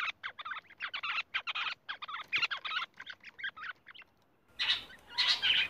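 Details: Rock bush quail calls as a string of short, harsh, chattering notes, briefly pausing before louder rasping calls resume.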